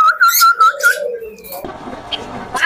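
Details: Caged talking common hill myna offered for sale in Mirpur, Dhaka, producing clear whistled, speech-like syllables, then a lower drawn-out tone, followed by shuffling handling noise.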